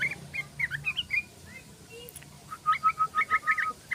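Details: Tame yellow-vented bulbul in the rapid 'ropel' song style: a few bright chirps, a short pause, then a fast even run of about a dozen clipped notes, close and clear over a faint low hum.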